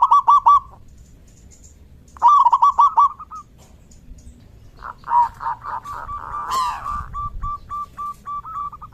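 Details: Zebra dove singing in the rainy season: two loud stuttering trills, then a fast burst of rolling notes with a brief noisy rustle, ending in soft clipped repeated notes.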